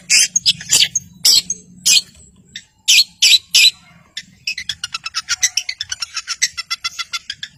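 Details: Vigorously singing long-tailed shrike, a rival-provoker for birds that have gone quiet. Several loud harsh rasps spaced apart, then a long rapid stuttering chatter of short high notes.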